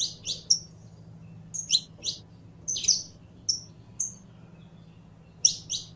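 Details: Saffron finch song: sharp high chirps mixed with brief pure whistles, given in spaced phrases over a steady faint low hum.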